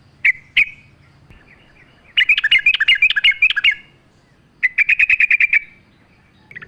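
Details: Lively sooty-headed bulbul song used as a lure recording with natural ambience: two sharp whistled notes open, followed by a long bubbling run of quick repeated notes and a second shorter trilled burst, faint low hum beneath.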